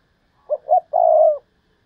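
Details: Spotted dove kept as a decoy bird, calling in the Thúc Lợi Cốt style: two short rising coos followed by one long, slightly wavering coo, low-pitched and clear against a silent background.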